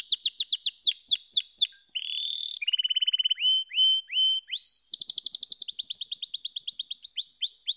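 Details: Canary song of rapid repeated downslurred notes, a buzzy phrase, a low rolling trill, then high fast trills and upward-sweeping whistles.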